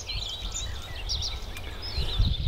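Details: A Bluethroat, filmed in spring in Dutch reedbeds, sings its sparkling song, a quick, varied run of sharp high notes and trills changing phrase to phrase, sometimes imitating other birds, over a steady low wind rumble.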